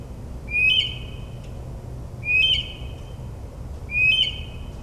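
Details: Northern mockingbird singing at night in suburban New Jersey, mimicking other birds: a clear whistled phrase, sliding then held high, repeated three times about every two seconds against a low steady hum.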